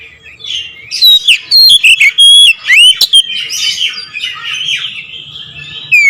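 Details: Oriental magpie-robin in nembak ngerol song: a loud run of sharp whistles and quick slurs during the first half, fading into softer, continuous warbling, then a final whistle.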